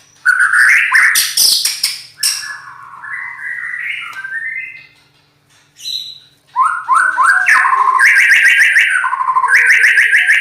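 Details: Loud, rough-voiced white-rumped shama song of varied phrases: sharp high notes, a descending series of slurred whistles, a brief pause, then rapid repeated chattering notes building into a sustained trill.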